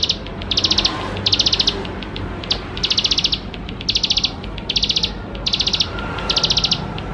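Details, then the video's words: Bar-winged prinia singing vigorously, a full rich song used to prompt young birds to sing sooner: about eight short, high, buzzy rattling trills, each under half a second, separated by brief pauses with soft ticks between, over a low background hiss. "Ciblek Sawah Gacor Full Isian Mewah || Untuk Pancingan Ciblek Sawah Muda Agar Cepat Bunyi"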